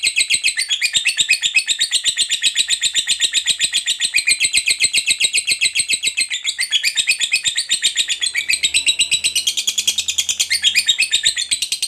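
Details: Fighter lovebird giving a long 'ngekek' trill, a style used to stimulate silent lovebirds into singing: a fast harsh chatter of rapid buzzy notes, about seven a second, running unbroken for nearly twelve seconds, briefly shifting pitch near the end.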